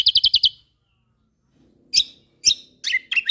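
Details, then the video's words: Songbird training recording of a white-eye from Lombok. A brief, rapid run of high chips is followed by silence, then several separate scratchy, descending and twisting high notes. "Masteran Burung Kecial Kombok Lombok Gacor Full Tembakan Mewah"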